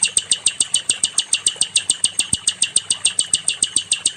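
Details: A nightingale (sikatan londo) delivers a very regular run of sharp, high, clicking notes, each a quick downward flick, about two to three per second, recorded for training other songbirds.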